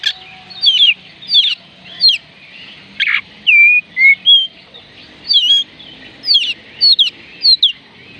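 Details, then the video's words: Oriental magpie-robin song meant to prompt lazy birds to sing: a run of clear whistled notes, many sliding and curling, given in quick separate phrases with one harsher burst midway, over a faint steady hum. "oriental magpie robin kicauan Kacer panggilan Kacer malas bunyi"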